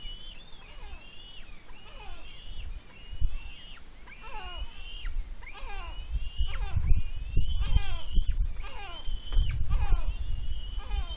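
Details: At a nest on Smøla, Norway (7.12.18), a young eagle squeals with excitement while eating a fish brought by its mother: thin, high calls slurring downward, about twice a second in bursts, over low wind rumble.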